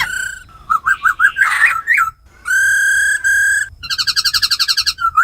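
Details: Female laughingthrush ro khẹt calls and tame black laughingthrush forest voice singing, played to rouse wild-caught birds; bouncing whistles, a noisy burst, long steady harmonic notes, then a fast pulsing trill.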